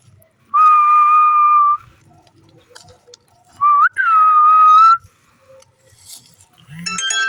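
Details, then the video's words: Green parrot playing alongside its owner. A long level whistle, then a pause, a short rising note and a second long whistle that rises slightly at the end, closing with a brief chirpy burst. "Beautiful Green Parrot Playing & Making Stunning Sounds"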